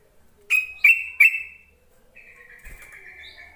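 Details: Yellow-vented bulbul lure call meant to prompt quiet, newly caught caged bulbuls to sing: three sharp, loud, chattering notes in quick succession, followed by a long, faint, steady drawn-out tone.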